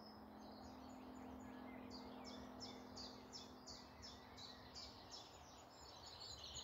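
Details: Morning woodland chorus near Malton, North Yorkshire: one bird repeats crisp, high falling notes several times a second in a steady run, with softer chirping from other birds and a low constant hum.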